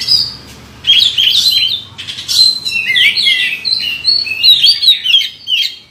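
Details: Champion contest oriental magpie-robin with a record of wins gives a rich, continuous song of clear whistles and twisting warbled slurs, punctuated by short scratchy bursts, after a brief quiet opening.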